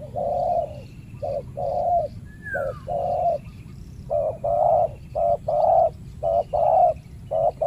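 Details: Territorial male spotted dove, the aggressive master of a banana plantation, challenged by a decoy while being trapped; rhythmic soft coos in short-long pairs, with a brief sliding whistle from another bird.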